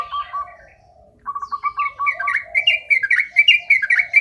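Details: Sooty-headed bulbul singing in a 'ropel' style: quick runs of short, bright chirped notes, first around a mid pitch, then rising into a dense, rapid, tumbling sequence of higher sharp notes, with faint other chirps in the background.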